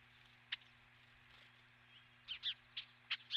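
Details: Osprey at the nest on a nest camera, 12 March 2016, morning; thin, high chirps, sparse at first, then a quick cluster of sharp downslurred whistles near the end, with a constant low hum beneath.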